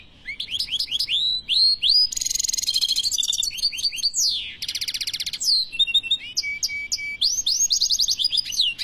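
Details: European goldfinch singing a fast, varied song: rising whistled notes in quick succession, then dense buzzy bursts and rapid trills, more rising notes and twittering runs, with almost no pauses.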